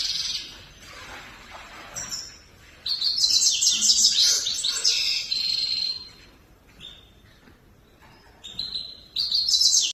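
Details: A grey-crowned goldfinch sings high twittering phrases and a lengthy buzzy, jingling trill, followed by quieter gaps and short chirps, with a faint hiss throughout.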